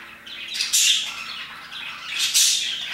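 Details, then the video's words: Parakeets chirping and singing around 2pm, giving loud, harsh, high-pitched chirps in two strong bursts over a steady bed of overlapping chatter. "Parakeets chirping and singing their hearts out"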